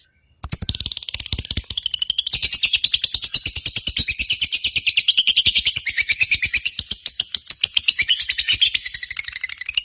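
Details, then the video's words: Lovebird competition sound played to stir pet lovebirds, adults, young birds, males and females, into singing: dense, shrill, rapidly repeated chattering chirps with high buzzy trills running continuously. "SIMULASI BURUNG LOVEBIRD"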